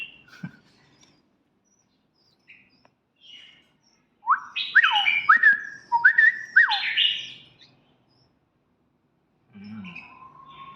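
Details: Red-whiskered bulbul kept as a pet gives a burst of five or six loud, slurred whistled notes, each dropping in pitch. Quiet stretches and a few faint chirps come before and after.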